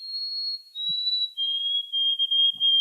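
White-throated Sparrow song: pure, clear whistles that start high and step down to a lower note, then a run of even repeated notes. There are a couple of faint soft knocks.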